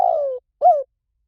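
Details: Spotted dove, 'liu tan' song style used to lure doves for call-back training: a fragment with a long, purring, slowly falling coo followed by a short arched coo, low and mellow.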